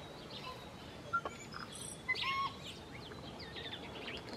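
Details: Tui, a New Zealand native bird, singing: a loose string of clear whistles at different pitches, mixed with clicks, crackles and brief wheezy notes, over a steady hiss of background noise.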